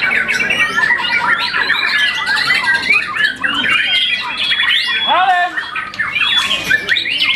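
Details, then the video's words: A champion young White-rumped shama, moulted once, sings a mix of long clear whistles, downward-slurred notes and quick chatter, with short dips in volume between phrases. "murai batu muda mabung satu kali"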